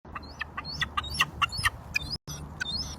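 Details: Gull chick begging its mother for food while she throws it food: short, harmonic, squeaky calls, several sliding upward, repeated roughly twice a second over a low background rumble.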